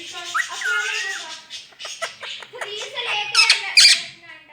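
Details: Pet rose-ringed parakeet talking, saying the phrase "Mian Mitthu Chori Khani Ha". Husky, speech-like syllables with a whistled rising-falling note early on, ending in a sharp, harsh squawk-like burst.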